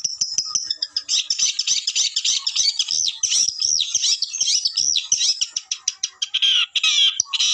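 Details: Long-tailed shrike in full song, a dense, busy stream of varied high chirps, trills and mimicked phrases, fast and continuous with scratchy notes throughout.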